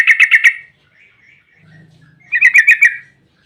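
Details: Yellow-vented bulbul in rapid 'ropel' song, a lure to provoke other bulbuls: a quick run of four sharp chirps, soft scratchy notes and a low hum, then another four-note chirping burst.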